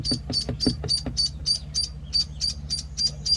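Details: Week-old penciled call ducklings giving rapid high peeps, roughly three or four each second, with soft tapping or patter early on and a steady low hum underneath.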